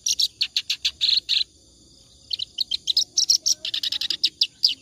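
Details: Clamorous reed warbler in ngacor song, a tutor recording for other birds; quick rasping chatter, a second-long pause, then renewed fast churring notes with sharper high accents.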